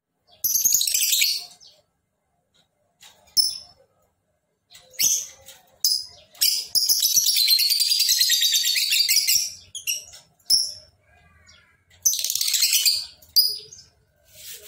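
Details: Caged lovebird in full, energetic song, giving a long ngekek: a harsh, rapid chattering trill held for about four seconds, plus shorter chattering bursts and sharp high chirps before and after.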